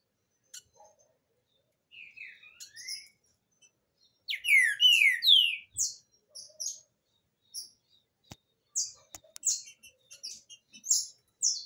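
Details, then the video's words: A Green-winged saltator's song, used for teaching a chick, has loud, clear whistled phrases of slurred, falling notes in quick bursts, mixed with sharper high chips. "Trinca Ferro canto para ensinar filhote"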